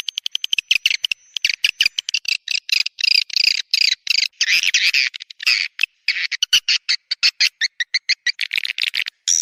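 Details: Swiftlet lure call, 'Raja Kalimantan' style, from Borneo, meant to attract swiftlets: a dense, almost continuous stream of rapid dry clicks running through and between scratchy, buzzy chirps, with a brief pause near the middle.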